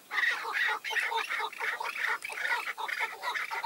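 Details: Several chukar partridges around a tethered decoy with five wild males, calling in a loud, harsh, tumbling chatter of fast chuck notes, closely packed and overlapping.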